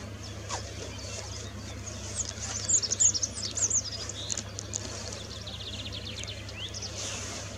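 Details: Rock bunting in the Moselle valley near Valwig, Germany, giving thin, very high 'zip' notes in a short flurry, over a steady low hum and soft background noise.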